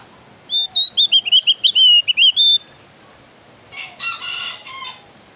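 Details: Javan grey-throated white-eye in lively, persistent song: a rapid string of about a dozen clear, wavering whistled notes over two seconds, followed after a pause by a harsh, buzzy chattering burst.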